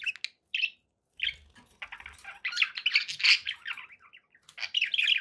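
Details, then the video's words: Two sharp chirps open, then after a pause pet budgies break into a long, buzzy, rasping warble of tangled notes, followed by a loud burst of squeaky chatter. "budgie sounds for pet birds"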